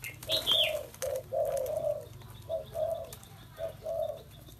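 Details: Spotted dove giving low rolling coos in repeated short phrases, with a brief higher chirp from another bird near the start and a steady low hum underneath.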